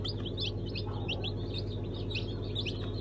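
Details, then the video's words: Brahma chicks among a fresh hatch of mixed breeds, Sultan, İspenç and Araucana included, on 1 September 2019; many overlapping high, short peeping notes above a constant low mechanical hum. "Brahma,İspenç,Americuana Civcivler"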